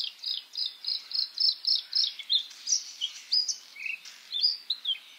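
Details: May song of a white-spotted bluethroat (Luscinia svecica cyanecula): a rhythmic string of bright, piping notes about three per second, changing into varied squeaky whistles and chirps.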